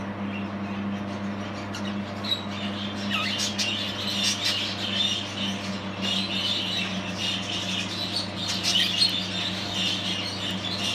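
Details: A possible breeding pair of lacewing budgerigars, a 7-month-old cock and a 9-month-old hen, chatter steadily in a busy stream of high, scratchy warbles and chirps.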